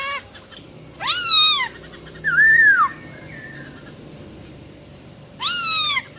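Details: Wild-voiced female silver-eared laughingthrush singing to stir up males quickly: a loud downswept harmonic note, a softer arched whistle, faint thin tones, then another strong downswept note.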